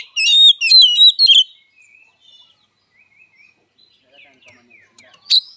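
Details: Oriental magpie-robin (kacer) fighting song: a burst of loud, scratchy chattering notes in the first second and a half, then quiet scattered chirps and a single sharp note near the end.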